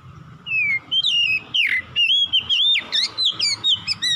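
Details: Oriental magpie-robin (kacer) singing, used as a lure to get a lazy bird singing: a continuous stream of clear whistles, sharp upslurs and downslurs and quick twittering notes repeated several times a second, loud and dominant over a low hum.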